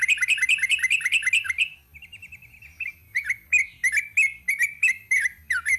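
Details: Sooty-headed bulbul in 'ropel panjang' style: a fast burst of chirps, a softer thin trill, then louder sharp notes spaced about every third of a second.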